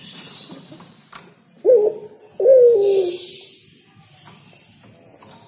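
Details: Spotted dove giving a single song phrase, a brief coo then a longer wavering, falling coo, over a background of high hissing noise and thin whistled notes from other birds.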